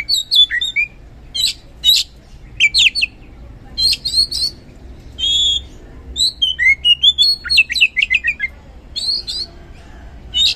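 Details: Dense, energetic song of an oriental magpie-robin in 'gacor ngeplong' style, played to provoke lazy magpie-robins into singing: varied whistles, sharp chips and buzzy trills in closely packed phrases throughout.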